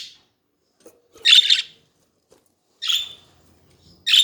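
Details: Budgerigars kept as pet birds, chattering: three short bursts of dense, buzzy warbling chirps about a second apart, the longest near the start, with quiet gaps between and no other sounds.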